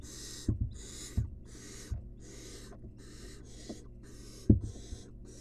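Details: Barn owl chick, wild, in a research nest box, begging as it receives a rat. It gives around nine rasping, snore-like hisses in a row, with scattered low thuds of movement.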